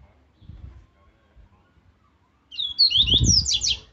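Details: Rusty-collared seedeater giving a strong, aggressive Viviti Zel Zel song of the Laranjeira style, used for training birds: after soft low thumps, a quick burst of high, sharp, slurred whistled notes rising and falling, ending in dense buzzy strokes.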